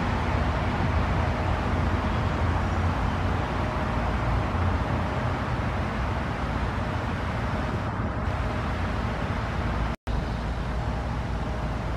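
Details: Steady traffic rumble and broadband road noise throughout, with a brief dropout near the end and no animal calls.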